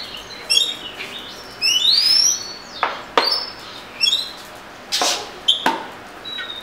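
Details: Oriental magpie-robin singing: a bright rising whistled slur, short trilled chirps and a few sharp clicks, phrases separated by brief gaps.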